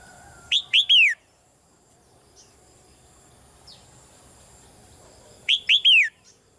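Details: Female red-whiskered bulbul in a cage, calling gently so the male sings louder. Two quick rising whistles and a long downward-slurred note form one phrase, and the phrase comes again five seconds later. Faint chirps sound between.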